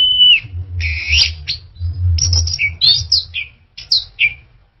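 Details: Orange-headed thrush song opening with a level whistle, then rich buzzy phrases and short rising and falling whistled notes in quick succession, over a steady low hum.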